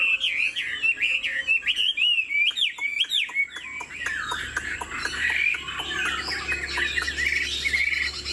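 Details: Singing Hwamei in a cage, described as 90% pure, with wing display and a nodding, dancing delivery. Fluid swooping whistles give way to a stretch of dry clicks mixed with notes, then softer, scattered whistling over a low hum.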